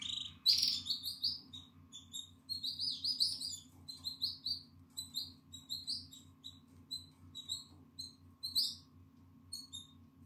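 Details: Shrill repeated cheeping from a nine-day-old Atlantic canary chick in the nest, 14 April 2022, its eyes open and feathers emerging; dense loud bursts at first, then sparser evenly spaced squeaks over a faint background hum.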